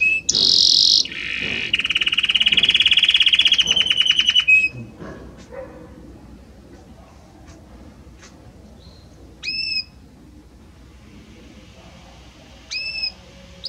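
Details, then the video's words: Belgian canary singing a varied, harmonious song that moves gradually from one note to the next: loud, high, rapid buzzy trills for about four seconds, then near silence broken by two brief whistled notes around nine and thirteen seconds. "Como canta este Canário Belga!"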